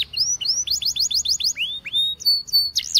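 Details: Belgian canary song for training, clear high whistled notes in quick rising-falling loops, a few long slurred glides, and thin sustained tones.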